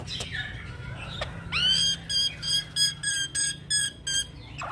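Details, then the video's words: Young black-winged myna singing steadily as a training tutor and lure: after scattered clicks and a rising whistle, about eight bright, harmonic-rich notes repeated at a fast, even pace over a low steady hum. "Suara Jalak putih Muda Gacor Ngeroll - Masteran dan pancingan Burung jalak"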